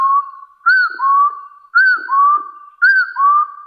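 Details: Hill partridge challenging rivals with three evenly spaced double whistles, each a brief arched note sliding into a longer, slightly rising lower whistle.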